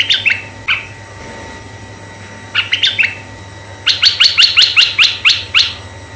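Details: Lure song of a red-eyed bulbul meant to draw in other bulbuls of either sex: scattered clipped two-part notes, then a rapid train of roughly ten bright chirps at a steady beat, with faint constant hum behind.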